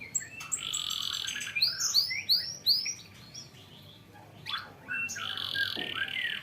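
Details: Young canary singing, used as a lure to get young canaries to learn song; quieter, broken phrases of buzzy high notes and arching chirps with short pauses between bursts.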